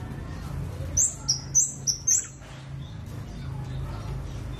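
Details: Scarlet-backed flowerpecker singing a brisk burst of five or six very high, thin, sharply slurred notes, followed by quiet with a low background hum.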